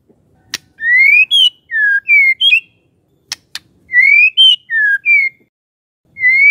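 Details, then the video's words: Lure song of a magpie-robin, meant to provoke a quiet bird into replying: bright whistled notes, each rising or falling slightly, delivered in short groups with pauses and a few sharp clicks between. "murai BENGONG langsung NYAUT dengar pancingan ini"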